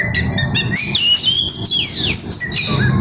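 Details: Oriental magpie-robin song with imitations: a long rising whistle, then loud sweeping and descending whistled slurs, over low background rumble.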